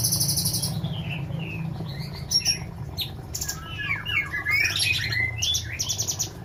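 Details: Female sooty-headed bulbuls held in cages near Semarang, Indonesia: a buzzy burst opens, then a jumble of quick slurred whistles from several birds, with a low hum throughout.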